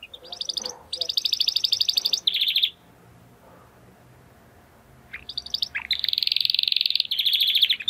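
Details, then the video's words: Mr Six, a male Timbrado Español canary born in 2020, sings bright, rapid trilled phrases in high metallic bursts, pausing for a couple of seconds before another run of rolling trills, as a training song for other canaries. "Your Canary will sing immediately - meet Mr. Six ! - Canary 's Training Song"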